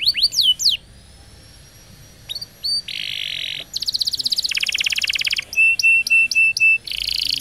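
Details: Canary singing a training roll for young canaries. It opens with falling sweeps, adds buzzy bursts and a long rapid rolling trill, then clipped repeated whistles and a closing buzz, with short silent breaks.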